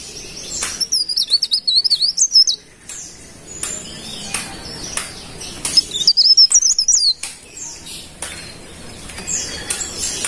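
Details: Golden-bellied gerygone, known locally as cikrak daun, singing: thin, high wavering whistled phrases sliding up and down in two bursts, separated by sharp clicks and faint background noise.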